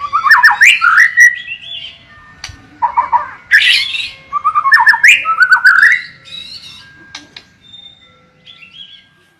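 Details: Varied white-rumped shama song from a kept bird: bursts of rich whistles, rapid warbled notes and sharp chips in separate phrases, fading to a few thin, quiet notes at the end.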